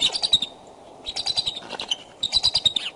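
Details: Bald eagles courting at their nest near Decorah on 2 February 2012 at 9:30 am, calling from the branches: rapid high chittering bursts of short piping notes, three runs with brief pauses between them.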